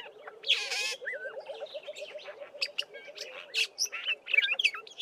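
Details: Black-bellied Starling song mixing in mimicry of a Fork-tailed Drongo and other local birds; a harsh rasping burst, then wavering whistles and quick varied chips over a steady low rapid ticking series running underneath.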